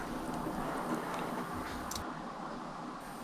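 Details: A steady broadband rumble and hiss, like a vehicle or machine, with a brief click near the two-second mark and a slight drop in hiss afterward.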